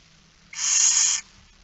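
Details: Single drawn-out, harsh hissing screech of a begging barn owl at a feeding, recorded 13 September 2019 at 06:57.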